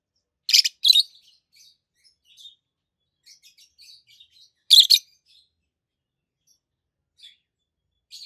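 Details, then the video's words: Pair of healthy adult peach-faced lovebirds, green-bodied, one with a red face and one with a yellowish white face, giving loud piercing paired shrieks twice, about four seconds apart, with faint twittering chirps between. "Lovebirds Sounds - Peach-faced Lovebird"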